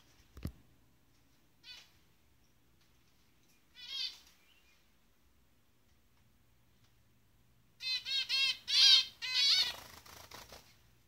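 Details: A pair of zebra finches, said to be in the jungle, giving nasal, buzzy little calls, then a quick run of rasping, tinny notes.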